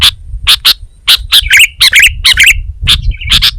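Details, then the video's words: Sooty-headed bulbul in lively gacor song, Indonesia: rapid sharp chirps about twice a second, broken by bubbly warbled phrases mid-sequence, with steady low rumbling noise underneath. "Suara Burung Kutilang Gacor"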